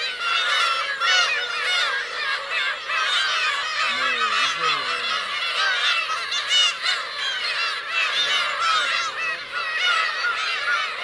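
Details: Black-tailed gulls with chicks, Kurosaki coast of Teuri Island, Hokkaido, on 17 June 2021: an unbroken wall of wavering mewing calls from many birds, with a faint low voice briefly beneath.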